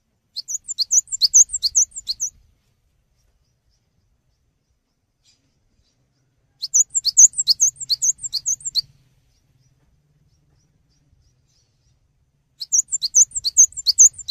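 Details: Lively cinereous tit (gelatik batu) song meant for tutoring caged songbirds: three separate bursts of rapid, high, alternating chirps, each about two seconds long, spaced by roughly four seconds of silence.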